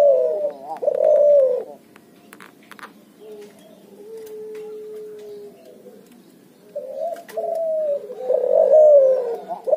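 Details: Spotted dove crossed with zebra dove, heard as a couple of cooing phrases, then a quiet stretch with a faint steady tone, and then louder cooing phrases returning near the end.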